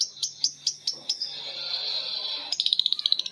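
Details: Lovebirds calling back and forth in ngekek chatter: a few spaced sharp high chirps blur into a steady buzzing whine, then a quick run of bright clicking notes.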